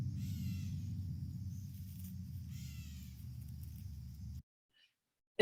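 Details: In September in a St. Charles neighbourhood backyard, one of two gray catbirds upset by a person with dogs gives two harsh, cat-like mewing calls about two seconds apart over low rumble, then a click.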